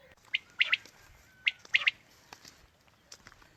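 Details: Quail call for luring birds on a morning hunt: two loud, slightly distorted three-note phrases of short sharp notes, then fainter echoing notes over a noisy hiss.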